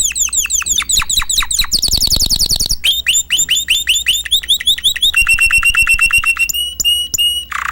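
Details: Caged canary singing a loud, fast, varied song: sharp downward-sweeping chirps, a dense rapid trill, then runs of evenly repeated clipped notes ending in short bursts.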